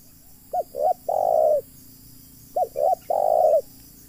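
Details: Spotted dove used as a decoy to lure wild doves into a trap. Two cooing phrases about two seconds apart, each with two short quick coos followed by one long, drawn-out coo, over quiet background.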